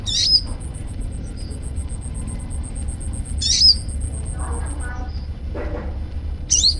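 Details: Young untrained kolibri ninja sunbird giving short bursts of sharp, very high chirps roughly every three seconds, with a continuous shrill insect drone and faint lower calls from other birds between them.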